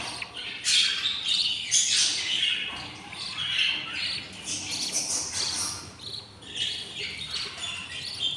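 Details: Nest of six budgerigar chicks, day 20 after hatching, begging hungrily: a dense, continuous chorus of grating, noisy squawks and hissing rasps, the voices overlapping with only short dips between.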